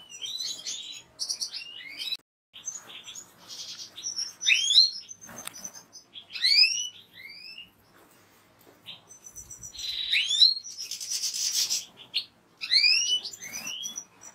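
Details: European goldfinch song: fast jumble of twittering, rising and falling sweeping notes with buzzy trills, delivered in bursts with short pauses.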